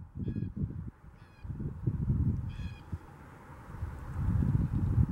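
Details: Blue jays in Huron Natural Area, Kitchener, give three separate short harsh calls with layered tones, spaced about a second apart, above steady low-pitched background rumble.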